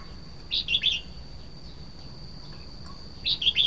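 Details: Two quick, liquid Red-whiskered bulbul phrases of three to four slurred chirps each, nearly three seconds apart, with a steady thin high whine underneath.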